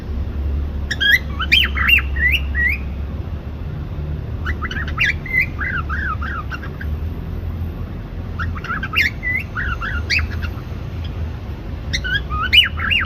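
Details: Cockatiel (Nymphicus hollandicus) singing bursts of rising and falling whistled chirps, with pauses between phrases.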